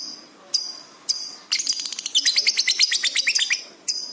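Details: Lovebird singing intensely on a training recording for pet birds: a few isolated high chirps, then a dense, rapid, high chattering trill lasting about two seconds, ending with another sharp chirp.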